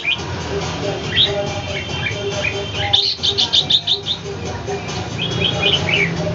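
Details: Caged red-whiskered bulbul confronting a wild bird in Ho Chi Minh City; bright chirps and quick warbled notes in bursts, a dense run midway, over a steady hum and faint background noise.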